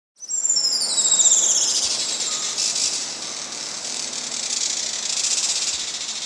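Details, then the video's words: Juan Fernandez Firecrown, a critically endangered hummingbird found only on Isla Robinson Crusoe off Chile, gives a very high, thin call: a quick falling squeak, then a dense, buzzy chatter pulsing about four times a second. "it is the call of a critically endangered hummingbird a call unlike that of any other on Earth"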